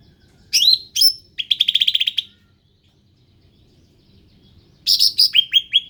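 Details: {'caption': 'Ruby-throated bulbul, an endemic bird, singing in bursts: two sharp downslurred chirps, then a rapid buzzy trill of about ten notes, a pause, and a quick series of descending whistled chirps.'}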